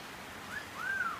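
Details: A male pet Eclectus parrot, chattier in the rain, gives two soft whistled notes, a short rise then a longer arching tone, against a steady hiss of rain.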